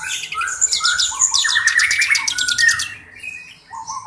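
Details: Black-browed reed warbler singing actively as a tutor bird for training other songbirds; short whistles lead into a loud burst of harsh, grating, rapid churring notes, then a quieter pause and a final whistle.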